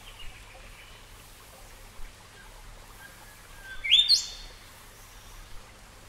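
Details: In Australia, a Golden Whistler gives a single loud, sharply rising whistle ending in a bright whip-like flourish, with faint soft chirps and low background hiss around it.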